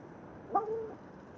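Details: A crow trying to scare ducks away from birdseed gives one odd, bark-like "bu-ouuh": a brief mid-pitched tonal croak that slurs downward in under half a second, against a steady low background hiss.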